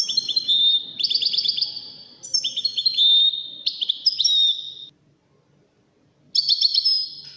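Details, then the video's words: European goldfinch singing in the Wedani style, from Morocco: bright, tinkling twittered phrases with quick rising and falling notes, delivered in bursts, a short silence, then one more phrase. "تغريد و سيمفونية الحسون الويداني من المغرب الشقيقة"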